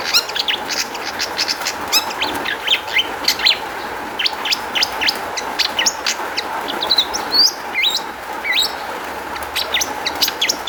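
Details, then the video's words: Long-tailed shrike song played as a lure to prompt other shrikes to answer: dense run of sharp chirps, scratchy notes and rising whistled slurs, continuous throughout, with a faint steady hum behind. "kicau cendet gacor MEWAH ISIAN buat PANCINGAN CENDET AGAR BUNYI jadikan BURUNG PENTET NYAUT"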